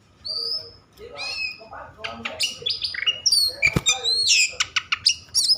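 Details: Over-excited Oriental magpie-robin song used to stir other magpie-robins to sing; varied whistled notes and sweeps start sparsely, then build into rapid, loud, scratchy phrases with high whistles near the end.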